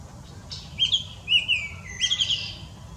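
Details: Baltimore oriole singing in Southeast Wisconsin: three short bursts of clear, rich whistled notes, slurred up and down, spaced about half a second apart over three seconds, above a faint low rumble.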